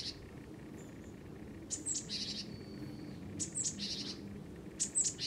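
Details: A wary house sparrow perched on a power line, perhaps facing a rival, gives harsh, scratchy threat chirps in three bursts about a second and a half apart, over a steady low rumble.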